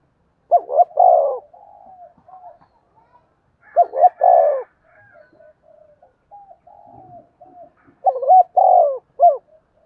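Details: Spotted dove cooing as a lure for decoy birds: three mellow phrases about three and a half seconds apart, each two quick hoots, a drawn-out falling coo and a short final note. Soft faint notes fill the gaps.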